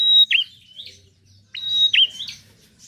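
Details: Bar-winged prinia song, used to get reluctant birds to sing: two loud phrases, each a shrill sustained whistle followed by a sharply dipping note and a rising tail, over a faint low hum.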